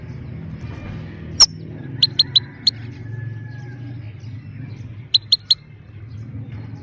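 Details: Short bursts of two or three sharp high chips from a female goldfinch, a call used to arouse males and train young birds, separated by pauses over steady low hum.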